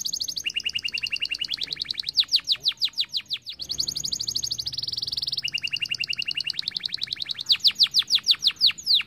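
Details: Canary song played to start other birds singing: long high rolling trills of rapid repeated notes, some steady buzzy tours, others of descending sweeps, changing tempo every second or two.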